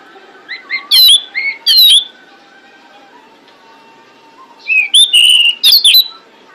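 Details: Pied bushchat female calling to attract males, with softer lead-in chirps building into loud sharp whistles, then a second similar burst about four seconds later; quiet hum in the gaps.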